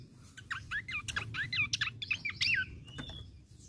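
A Horsfield's Babbler sings a quick, tumbling run of clear whistled notes, rising and falling.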